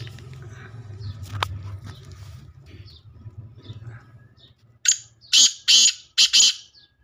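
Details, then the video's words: Black francolin call: after a low rumbling background with faint clicks, a loud run of four harsh, rasping, buzzy phrases delivered in quick rhythm. "black teetar boli | kala teetar | teetar voice | teetar awaaj"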